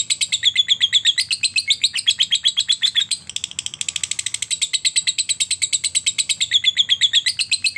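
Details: Lovebird performing ngetik followed by ngekek, a long chattering trill used to stimulate other lovebirds to sing; high, rapid buzzy pulses repeated about three per second without pause, rising slightly in intensity midway.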